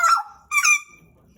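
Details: Two strong, clear whistled notes from a caged pet Pied butcherbird, the first sliding down, the second a steady bright tone, followed by quiet.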